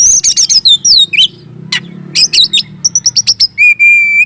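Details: Song of an Oriental magpie-robin, used to stir up other magpie-robins, with rapid high chattering notes, swooping slurs, a brief pause, then clipped repeated whistles and a long steady whistled note at the end.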